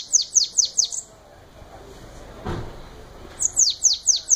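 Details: Bananaquit performing its belga-style song: sharp, very high downslurred notes in quick bursts of four or five, separated by a gap of about two seconds with a soft thump in the middle.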